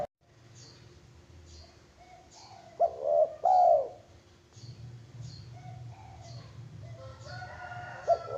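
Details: Zebra dove cooing: loud, rounded, wavering coo notes in the middle, with fainter coos and soft higher chirps scattered around them over a low hum.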